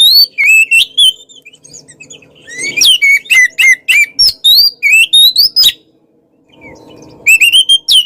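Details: Oriental magpie-robin in full, lively song meant to rile opponents: rapid, varied whistled notes, sweeping slurs and sharp chips in long runs, with a brief pause and a faint low hum in the background.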